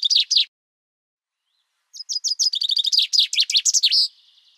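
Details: Common chaffinch (Fringilla coelebs), song.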